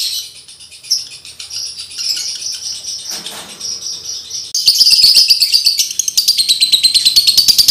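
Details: Male lovebird in breeding condition, used as a lure to train other males: high, thin chattering twitters, then a louder burst of rapid, shrill trilled notes with fast clicking pulses, and a brief rustle midway.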